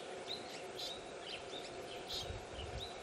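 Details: At a nest in South Australia where a pair of dusky woodswallows (Artamus cyanopterus) tend three chicks, six or so short, high chirps come about every half second over steady broadband noise.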